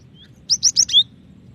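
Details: A female cinereous tit calls for the male: one quick run of four sharp, high chirping notes, the last a slightly lower, longer whistle, over faint low background hum.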